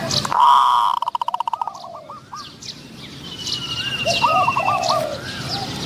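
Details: Spotted doves cooing during decoy trapping of wild doves, a wild bird with a medium-pitched voice hoped for. Short hooked coo notes run in quick series, over sharp chirps of other birds, a burst of rapid clicks and outdoor background noise.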